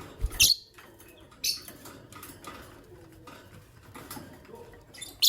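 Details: Morning chirping from a green personata lovebird and an albino lovebird: short, shrill, high-pitched chirps come in bursts about a second apart, with a final sharp chirp after quieter faint clicks and room hum.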